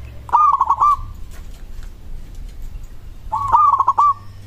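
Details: A local zebra dove sings to set other doves answering: two bubbly, pulsed coo phrases about three seconds apart, each a quick stutter of notes closing on a sustained tone, over a faint low rumble.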